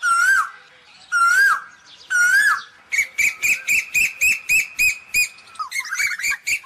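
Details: Asian koel calling the flock: three loud swooping whistles about a second apart. These are followed by a rapid, evenly spaced series of about a dozen sharp bright notes, then a tumbling scramble of chirps.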